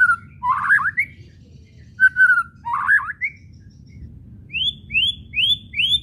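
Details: White-rumped shama whistles from a lure track for provoking song: two warbled phrases each opening with a level whistle, then after a pause four evenly spaced rising whistled notes about half a second apart.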